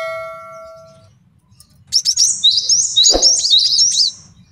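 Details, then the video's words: Male cinereous tit, a master song for training other songbirds and for luring birds, gives a fast burst of high, sharply downslurred whistled notes after a steady electronic ding tone, with one dull thump partway through. "MASTERAN GELATIK BATU JANTAN BAGUS BUAT MIKAT DAN MASTERAN BURUNG JAWARA"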